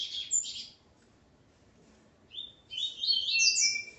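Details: Double-collared Seedeater male with his female: a short high chirp burst, nearly two seconds of quiet, then a rich tumbling phrase of sharp rising and falling notes.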